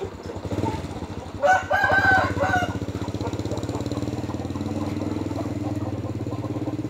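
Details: In the morning, a fighting rooster kept in a rubber plantation in Thailand gives one hoarse, stepped crow lasting about a second over the steady putter of an idling engine.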